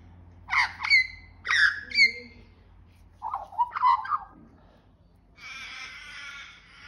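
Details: Australian magpie in Australia singing to beg for food: two paired bursts of rich, harmonic, sliding warbled notes, a lower gurgling phrase, then a long harsh rasping squawk at the end, over a faint low hum.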